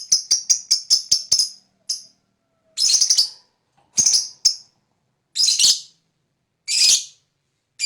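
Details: Lovebird, a fighter-type lure recording used to provoke other lovebirds to answer and sing, giving shrill, harsh high chirps in a rapid burst of about ten, then longer raspy bursts repeated roughly every second.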